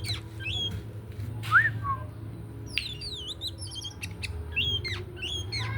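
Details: Oriental magpie-robin singing just before bathing: scattered clear whistled notes, some rising, some falling, with quick chirpy phrases and short pauses, set over a steady low hum.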